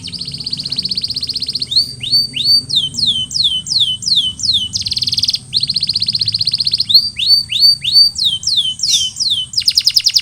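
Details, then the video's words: Canary song aimed at post-molt recovery, alternating fast rolling trills with bursts of swooping downslurred whistles, over a faint low background hum. "Post-Molting Recovery: Get Your Canary Back to Gacor Faster!"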